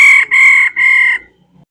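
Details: Calls of a female laughingthrush: three drawn-out, level, nasal notes with a rich harmonic sound, each separated by a short break, fading into quiet at the end.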